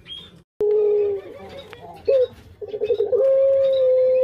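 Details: Kept collared dove cooing: a long steady low coo, a brief clipped note, then a sustained level coo that fills the last two seconds.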